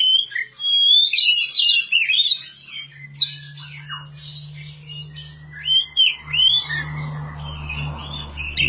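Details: Oriental magpie-robin song from a bird being cared for in a village: a rich run of clear whistles and sharp chirps, some rising and falling, in quick varied phrases, with a steady low hum beneath and a rough noisy patch near the end.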